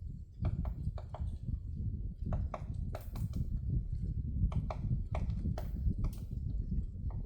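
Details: Woodpecker knocking on a tree, Namsan, Chungju, 7 February 2026: a run of irregular woody taps, some in quick pairs, roughly twenty in seven seconds, with a constant low rumbling background.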